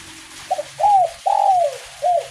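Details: Kuk 1 spotted dove in light rain delivering one phrase: a quick double note, a mellow coo, a long slowly falling coo and a clipped ending coo, with rain hiss and a low background hum.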